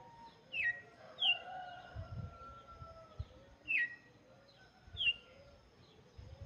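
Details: Red-cowled cardinal song, played for chicks: short separated notes sweeping down from about mid-high pitch, roughly one every second or so, over faint low background rumble.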